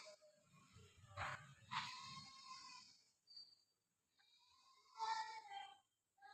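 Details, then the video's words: A pet Indian ringneck parrot gives soft, harmonic chirps: two short rising notes early on, then a clearer warbled chirp near the end, with quiet low rustling in between. "Parrot Chirping Sounds Talented Ringneck Parrot"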